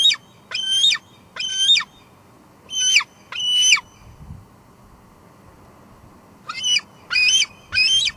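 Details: At Two Harbors on 24 July 2022, a female bald eagle calls at the nest, where leftover food lies, on a live cam. Shrill squealing squees come in two bursts, then a pause, then three more.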